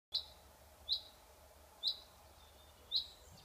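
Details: Common chaffinch giving short, sharp high chirps, four single notes about one second apart, over a faint steady background hiss.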